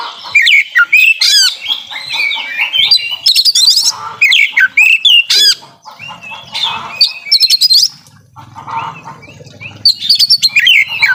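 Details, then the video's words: Oriental magpie-robin singing a full varied repertoire as a lure for silent birds; loud whistled slurs and rapid trills alternate with softer chatter, a low hum in the background. "Kacer Nembak Full Isian Cocok Buat Pancingan Kacer Yang Lagi Males Bunyi"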